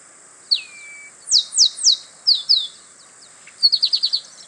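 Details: Male chestnut-capped blackbird (Chrysomus ruficapillus) singing in the wild, Itatiba, São Paulo, Brazil, 24 March 2017, 08:40: a falling whistle, three loud down-slurred notes, two shorter slurs, and a quick burst of rapid high chips.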